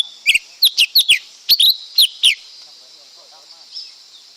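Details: Lesser green leafbird rattles off a fast sequence of about ten crisp, downward-sliding whistled chirps in two seconds, then falls quiet apart from a soft distant note and a continuous high buzz.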